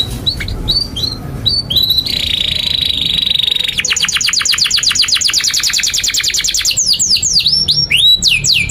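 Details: Canary in long, continuous 'gacor' song, used as a tutor for young and stalled canaries: high whistled notes, a steady buzzy tone, then a fast rapid-fire trill of about forty clicks, ending in steep downward-sweeping whistles.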